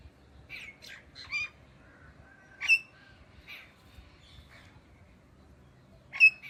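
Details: Indian ringneck parakeet giving scattered chirps and squawks, including a brief whistled note, with two sharp loud calls near three and six seconds and quiet pauses between.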